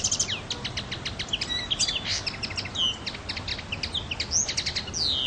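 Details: Common linnet singing on Pantelleria island, Italy, 9 January 2011: fast twittering phrases mixing clipped chirps, brief trills and several clear slurred whistles, rising and falling, with faint low rumble behind.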